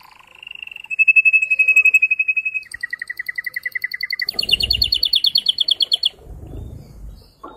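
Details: Excited, strong song of a male canary used to stimulate breeding in both sexes: a steady high rolling trill, then a lower rapid chop, then a bright fast bubbling series, with soft rustling in the background.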